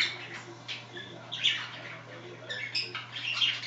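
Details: Budgerigars, two chattering while another scratches itself, in a scratchy, warbling stream of high squeaks and clicks, with brief louder bursts and a faint steady electrical hum underneath.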